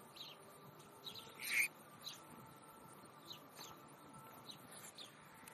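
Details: A rowdy band of house sparrows in Leipzig, Germany, gathered at a zoo showcase window; scattered brief chirps sound every half second or so, with one louder burst early on over a steady low hum.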